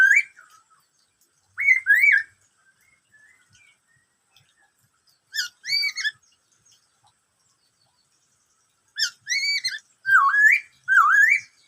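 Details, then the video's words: Black-throated laughingthrush, "bắt cô trói cột" style song: brief paired arched whistles separated by long silences, then a closing burst of quick hooked and swooping notes. "em khướu bạc má hót bắt cô trói cột"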